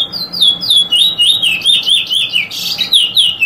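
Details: Eurasian Bullfinch giving a drawl and weet drawl sequence: a loud, continuous string of wavering, slurred whistles that rise and fall without a break, several quick up-and-down notes each second, on a quiet background.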